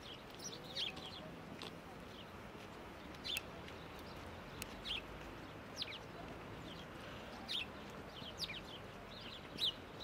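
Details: House sparrow at Prule, Ljubljana, on 2 February 2024, giving short, bright chirps at irregular intervals, roughly every one to two seconds, over a steady hiss of background noise.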